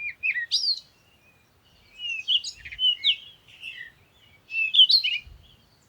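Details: Bird song in three clustered bursts of sweet, warbling whistles and chirps, the notes sliding up and down; two soft low thumps are heard faintly.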